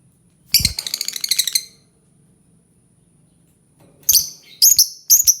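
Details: Lovebird giving a fast, shrill chattering burst of about a second of rapid high chips. After a silence come several separate sharp, squeaky chirps.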